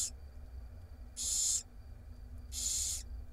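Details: Barn owl chicks, six young in a nest box on a camera in Israel, being fed by their mother: two long harsh hissing screeches, each about half a second, separated by quiet with a faint steady hum.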